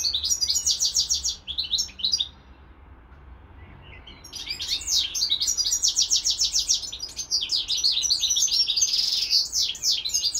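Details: European goldfinch owned together with a serin x canary hybrid. Rapid buzzy trilled phrases give way to a near-silent gap of about two seconds, then a long, energetic twittering burst resumes.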